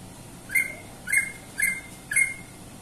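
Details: Four short whistled chirps from a greater green leafbird, each dropping slightly and repeated about every half second in a steady rhythm.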